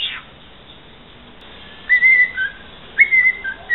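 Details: A cockatiel whistling snatches of the Santos football anthem: two short whistled phrases, each a level held note that drops to a lower tone, separated by silence.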